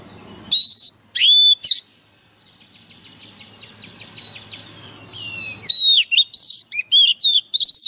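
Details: Loud White-rumped shama whistles open and close this passage. In the middle come softer, rapid, repeated chirping notes over a low steady hum, then a quickening series of sharp rising whistles.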